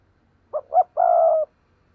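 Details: Spotted dove coo in thúc gù style, intended to make wild doves answer. One phrase of a short low hoot, a louder rising hoot and a sustained burry coo of about half a second, over a faint low hum.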